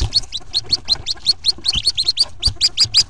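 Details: Hooded Merganser ducklings, part of a brood of 14 hatched on April 1st, 2014, calling from a nest box before jumping out on April 2nd; rapid, high, rising peeps repeated several times a second, with soft low thumps.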